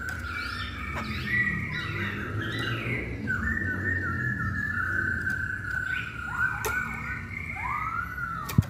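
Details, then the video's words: Masked laughingthrush singing, a recording played to spur other birds to sing; a string of clear whistled phrases, some long and level, others sliding down, with faint clicks and rumbling background noise. "Pancingan Poksay Hongkong"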